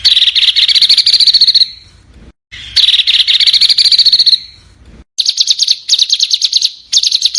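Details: Small bird song for mastering contest cage birds: two buzzy, warbling sustained phrases, then staccato bursts of sharp, high repeated notes.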